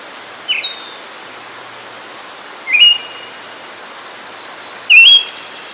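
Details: Siberian thrush song: three short clear whistled phrases, each a quick rising step held briefly, spaced about two seconds apart against a quiet hiss.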